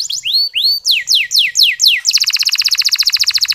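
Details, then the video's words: Local canary training song used to stir sluggish males into singing: a few slurred rising whistles, then descending sweeps, breaking into a very fast buzzy rattle of rapid repeated notes. "Masteran Kenari Lokal Super Gacor"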